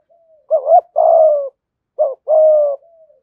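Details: Spotted dove singing in the 'giọng thổ' and 'gù thúc' styles, a recording played to lure wild doves; two phrases, each a quick double-noted coo followed by a long, level, slightly falling hoarse coo, with a quiet background.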